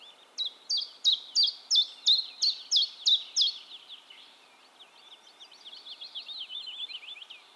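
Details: A common chiffchaff (Phylloscopus collybita) in Heemskerk, the Netherlands, sings about nine sharp, high notes in an even, bouncing chiff-chaff rhythm, three a second, followed by softer, jumbled twittering.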